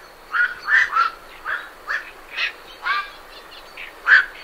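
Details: A rapid series of coarse croaking calls from night herons departing their roost, about two per second, ending in one loud squawk, with great reed warblers chattering beneath.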